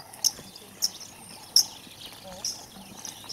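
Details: Caspian plovers in the Maasai Mara, a flock of about 70 birds; short, sharp high-pitched calls sound several times at irregular intervals over a quiet background, with faint low voices underneath.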